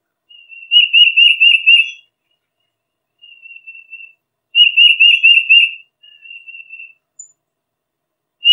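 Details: Tufted titmouse giving clear, fast whistled phrases of repeated two-part notes, loud bursts about every three seconds followed by softer, lower whistles. Faint high chips sound in the background.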